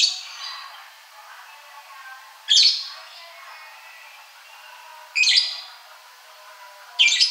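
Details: Ashy drongo giving three loud, harsh, scratchy bursts about two to two and a half seconds apart, with quieter faint twittering between them.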